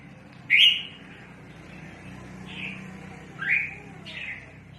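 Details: Red-whiskered bulbul used in trapping, calling a lot: four short, bright notes, alternating loud and softer, about one second apart, over a low background hum.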